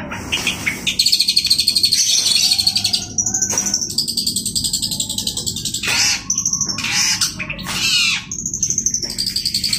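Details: Long-tailed shrike in full, active song: long, varied high phrases that mix buzzy trills, sustained whistled notes and harsh rasping bursts, with brief pauses between sections.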